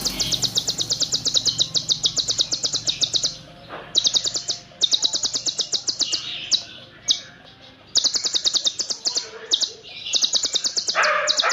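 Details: Olive-backed sunbird (konin) delivering dense, long song filled with cililin phrases, recorded for training songbirds: long runs of rapid high ticking trills lasting several seconds, briefly pausing, then resuming, with a short lower note near the end.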